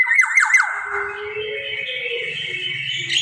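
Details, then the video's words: Black-naped oriole, recording meant as a lure for other birds: a nasal, rasping squawk of three or four quick downward-slurred strokes run into a long, drawn-out buzzy tail, with faint low background noise. "kepodang gacor cocok buat pancingan"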